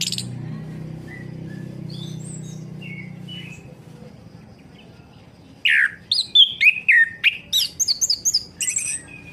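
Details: Orange-headed thrush song meant to stir a bird that has gone silent: soft distant whistles, then a rapid burst of sharp, varied chirps and high buzzy notes repeated several times a second over a low hum.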